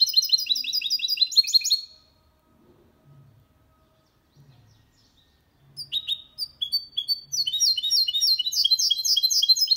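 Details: Goldfinch × canary mule singing cleanly: a rapid high trill of repeated notes ends abruptly, followed by near-silence with faint low bumps, then scattered chirps returning into a fast twittering run.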